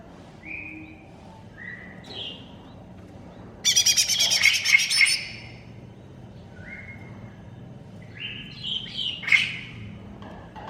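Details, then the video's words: Cucak ijo mini, the greater green leafbird, in a masteran recording: short clear whistled phrases, then a long dense burst of scratchy rapid notes, then more whistles and a sharp chattering flourish. "MASTERAN CUCAK IJO MINI"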